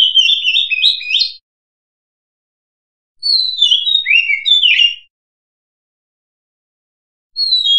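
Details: Oriental magpie-robin song used to lure birds for trapping: phrases of rapid, warbled whistles of about one to two seconds each, separated by clean silent gaps. A third phrase begins at the end.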